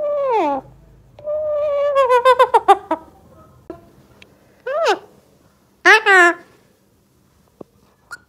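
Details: Tame pet Alexandrine parakeet talking indoors: a harsh rising-then-falling word, a drawn-out nasal phrase ending in quick choppy syllables, then two sharp sweeping squawky words and a couple of faint clicks.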